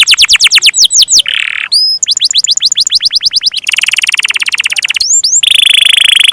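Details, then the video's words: Domestic canary in vigorous song featuring long rolls: rapid trills of down-slurred notes switch abruptly to harsh buzzy rattles and a few clear rising whistles, with the phrases changing every second or so. "Burung Kenari gacor rol panjang"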